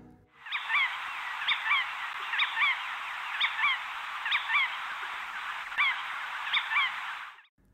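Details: Critically endangered Jerdon's Courser in India giving its soft 'twee' call, each note a quick rising-then-falling whistle, repeated about once a second over a steady hiss.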